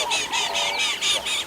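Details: At sunrise on a February 6, 2022 safari, a bird alarm-calls at a female leopard: harsh, rasping calls in quick repeated bursts, about four a second, with a faint lower tone beneath; the leopard raises her tail in response.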